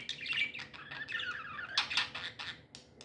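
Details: Budgerigars, said to be happy, giving a busy stream of chattering chirps with a long falling whistled note in the middle and sharp clicks near the end.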